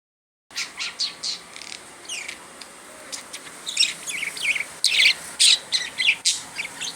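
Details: Budgerigar talking: a rapid run of high, scratchy chirps and warbled squeaks in short bursts, growing denser and louder toward the end, with a quiet background hiss.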